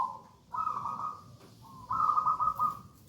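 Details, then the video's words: Zebra dove, local gedang rojo type used as a lure song, heard against steady background hiss: two drawn-out trilling coos, each opening with a short lower note. "Perkutut lokal gedang rojo gacor merdu bird voice"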